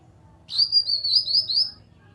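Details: Grey-cheeked bulbul giving a nyaut call, used as a lure to get other bulbuls to sing: a high, bright, rapid warbling phrase of about six slurred notes, lasting just over a second over a quiet background.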